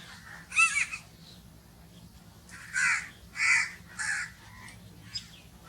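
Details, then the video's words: One loud rasping crow caw, a pause of about two seconds, then three strong caws in quick succession and a faint final note. "crow noises sounds"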